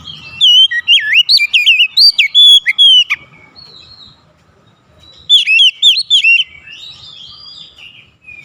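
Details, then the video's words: Oriental magpie-robin delivering two bursts of fast, varied whistled song, full of swooping notes and sharp chips, separated by a brief quiet gap. "SUSUNAN KICAUAN KACER YANG INDAH DAN ENAK DI DENGAR"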